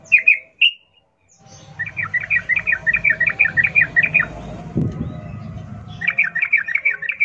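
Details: Wild-style 'ngalas ropel' song of a sooty-headed bulbul, played to draw captive birds into singing: two sharp notes, a gap, then a long rapid string of chirps over a low rumbling background, resuming after a short break.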